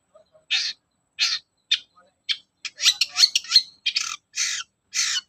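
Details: A long-tailed shrike's lure song for the morning, meant to stir other shrikes into singing: spaced harsh rasping notes, then a quick run of sweeping chirps and more grating calls against quiet.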